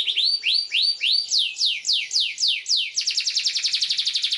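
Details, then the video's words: Canary song aimed at young canaries learning to sing: rising whistled slurs, then repeated descending swoops, ending in a fast, tight series of chirps. "PANCINGAN Kenari GACOR PANJANG Cuit2 EMOSI ini AMPUH utk MASTERAN Kenari PAUD belajar BUNYI"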